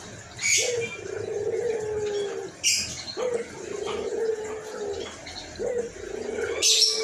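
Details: Hoarse-voiced white collared dove cooing steadily, called gacor. It repeats a phrase about every two to three seconds: a short upward-flicking note, then a long, level, low coo. Other birds chirp high above it.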